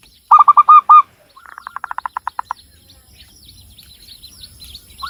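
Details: Zebra dove, local Javanese bird from Cilacap in Central Java, gives a loud quick burst of hooked coos, then a softer accelerating train of short pulsed notes, before faint chirps of other birds fill the background.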